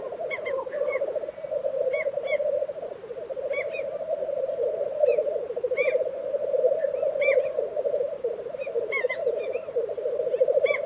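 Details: Black grouse lek at Tiveden, Sweden, in April 2023: an unbroken, rhythmic bubbling coo, many males overlapping in a low rolling chorus, with scattered higher chirps from other bird species above.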